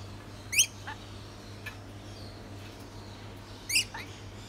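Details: A hand-reared baby pied lorikeet gives two short, harsh, high squawks about three seconds apart, with faint clicks and a low steady hum behind.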